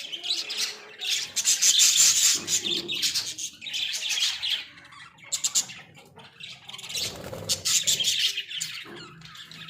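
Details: Australian budgerigars in a small cage produce a long stream of rapid grating chirps and squawky warbling, pulsing quickly, with a brief quieter stretch midway before the chatter resumes.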